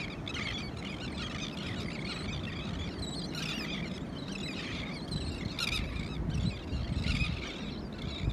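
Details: Elegant terns at Morro Bay, California, give harsh, grating calls that overlap steadily like a busy colony, over a heavy roar of wind or surf.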